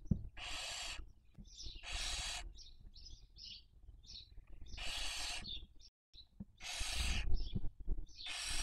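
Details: Barn owls with young at a nest camera in Cabañeros National Park, Spain, 2023 breeding season. Repeated broadband rasping screeches in pairs, with clusters of short high chirps between them.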